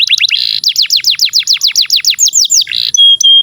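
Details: Singing canary used as a master song to prompt young or silent canaries: quick repeated descending whistles, a rolling series of falling notes, then a brief buzzy burst and thin steady whistles.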